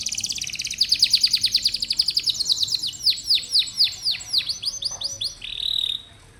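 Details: Canary song meant to trigger a response from young, lazy singers: a quick train of repeated descending whistled notes, slowing gradually, ending in a short steady whistle before quiet.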